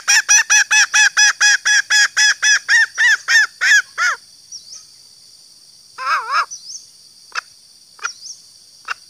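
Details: Female green junglefowl (Gallus varius) calling to attract males: about seventeen strong, harmonic, cackling notes at a steady quick rate, fading out. A short burst and sparse clicks follow, and a high insect drone runs throughout.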